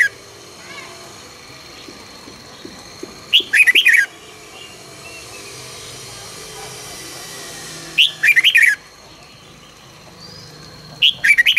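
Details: Red-whiskered bulbul morning song for training birds to sing in the fiery căng lửa style: three short bright warbled bursts spaced several seconds apart over a steady hissing, steam-like background and a constant high whine.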